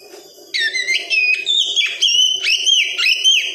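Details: Oriental magpie-robin song, used as therapy to get a young untrained bird to sing in wikplong style: loud, clear whistled phrases sliding up and down, bright rising and falling notes linked in a varied run, over a faint low hum.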